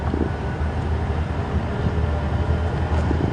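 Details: Low engine rumble from a vehicle on a sunrise safari drive, with wind buffeting the microphone and no animal calls.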